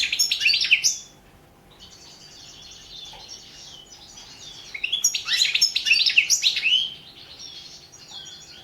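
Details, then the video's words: European goldfinch song from a 2017 world championship competition recording: a loud burst of twittering, a quieter stretch of soft buzzy notes, then another energetic run of fast, high, tinkling chirps and trills. "World championship in Goldfinch Song 2017"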